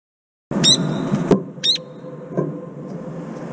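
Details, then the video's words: Brown-eared bulbul calling after repeated cold-water baths, including head-dipping. It gives two short, sharp, high screeching notes that slide downward, over a background of splashing water and a single loud click. "직박구리, 냉수욕하고 시원하다며 삐이이익 소리침"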